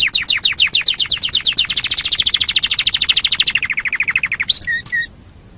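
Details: Canary song used as tutoring material for training other songbirds: a fast, even trill of clipped notes, about 200 per minute, stepping down from high to middle pitch, closing with a few short whistled notes.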